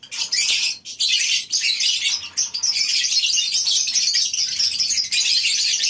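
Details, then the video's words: Lovebirds in a colony aviary on a breeding farm in the morning, many birds chattering at once: a dense, continuous wash of shrill, scratchy chirps and squeaks, with a brief lull near the first second. "Suara Love bird"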